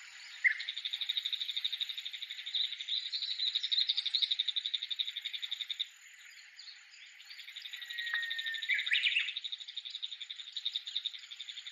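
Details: Wild Bull-headed shrike singing with an unusual voice while waving its tail near an ancient Japanese castle site: rapid, steady high chattering notes about four per second, briefly broken by varied squeaky phrases before resuming.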